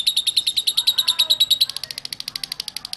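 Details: Lovebird ngekek song meant to set other lovebirds singing: a fast string of high, clipped chirps, slightly quicker toward the end, with a faint low murmur beneath.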